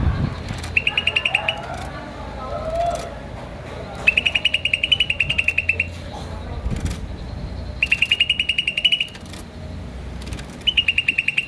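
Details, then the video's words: Green starling chirping in repeated quick bursts of sharp, high, evenly paced notes, separated by pauses, with faint background noise. "Green Starling Chirping Sound"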